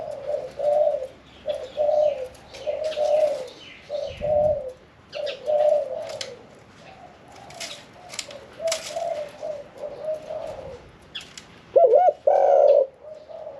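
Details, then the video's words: Spotted dove in a cage, never yet used in a decoy pen, sings 'khan yon 1 kuk' with a middle voice. A long stretch of soft overlapping coos from several doves ends in one loud looping coo near the close. "ฟังเสียงขันนกเขาใหญ่ { ขันโยน 1 กุก} ,{นกเสียงกลาง}"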